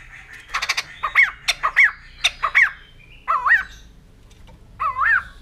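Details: Opening with clattering bursts and sharp clicks, a white-crested laughingthrush moves into a string of short whistled notes, then two longer rising-falling fluty phrases with a quiet gap between them.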